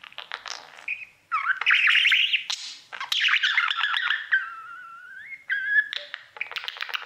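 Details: Budgerigar singing to a mirror at home; clicking notes lead into buzzy warbling, then a long, smooth whistled slur descending and rising, followed by more clicks and chatter.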